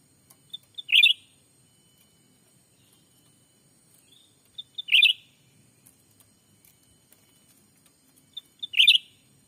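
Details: Lure call of the black-capped bulbul for attracting wild birds in Sumatran forest by day: a brief phrase of two or three thin pips running into a loud gurgling warble, repeated three times about every four seconds.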